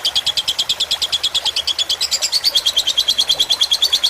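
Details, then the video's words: Tutor song of a fighter lovebird set over gently trickling water: long, even run of shrill, clipped chirps at roughly three per second, high-pitched and metallic, with brighter, busier notes midway and steady background hiss. "Suara masteran lovebird fighter dengan gemericik air agar cepat masuk"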